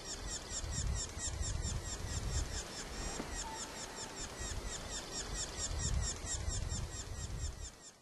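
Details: Baby red-naped sapsucker keeps calling out as it is fed by its parent at Premier Lake Provincial Park, British Columbia, distant recording: fast unbroken series of high squeaky notes, with low wind rumble and a brief faint whistle.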